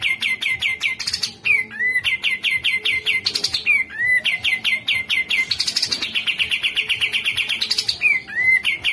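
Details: Grey-cheeked bulbul singing in quick bursts of sharp, bright chirps, about eight a second, broken by short down-slurred whistles; no other sounds stand out.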